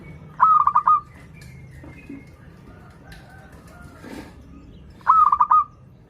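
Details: Local zebra dove singing, meant to draw doves learning to sing: two bursts of rapid stuttered cooing about five seconds apart, with scattered faint clicks and bumps in between.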